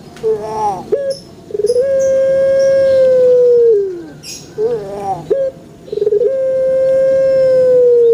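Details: In a banana garden, a puter pelung dove repeats its call twice: wavering lead-in notes and a short hiccup, then a prolonged level coo that trails downward, with light background rustling.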